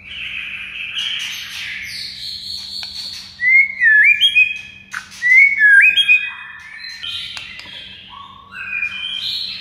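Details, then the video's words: White-rumped shama song used as a master training recording to spur quiet shamas into singing: varied whistled phrases, rising and falling sweeps and sharp slurred notes, with soft low hum underneath. "MURAI BISU BAKAL RESPON GACOR DENGAR MASTERAN MURAI BATU"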